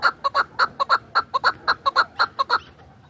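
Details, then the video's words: Chukar partridge kept for hunting, from Dashti Jum, calls in a loud, clear run of about seventeen short clucking chuk notes in under three seconds, in an uneven paired rhythm, over a quiet background. "Кабки шикори"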